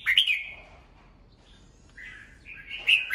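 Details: Caged red-whiskered bulbul's morning song for training birds: a bright chirped opening sliding into a mellow warble, then a gap and a louder rising, chattering phrase.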